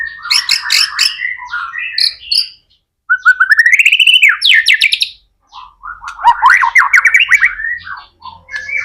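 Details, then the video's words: White-rumped shama in energetic 'gacor' singing, used as a lure to prompt other shamas to sing quickly: rich varied phrases of sweeping whistles and rapid buzzy trills, with short pauses between bursts. "MURAI BATU GACOR AMPUH BUAT PANCINGAN MURAI BATU AGAR CEPAT BUNYI JADIKAN BURUNG MURAI GACOR"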